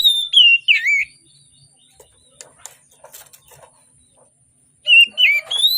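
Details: Oriental magpie-robin singing in the morning, used as a lure to prompt reluctant birds to sing: a short burst of loud, clear whistled notes sliding up and down, a quiet gap with faint clicks, then another whistled phrase.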